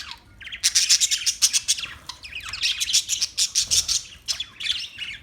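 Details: Parakeet chattering in quick, high, scratchy chirps and rising whistled slurs, rapid pulses packed closely together, a brief lull just after two seconds.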